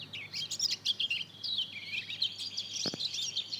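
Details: Two-month-old young mozken, a hybrid of Mozambique canary and canary, practising its song: a busy run of high twittering chirps and short slurred notes, quick and unbroken, with one brief low knock midway.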